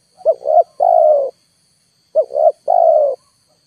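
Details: Spotted dove lure sounding at full volume for wild birds that never land: two clear phrases, each two short upswept notes then a long descending coo, roughly two seconds apart, over a faint high hum.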